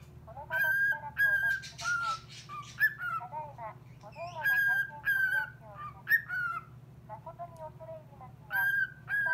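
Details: Cockatiel singing back to a call-centre operator's recorded voice: clear whistled notes, mostly level or gently falling, given in short bursts with pauses between phrases and a steady low hum underneath.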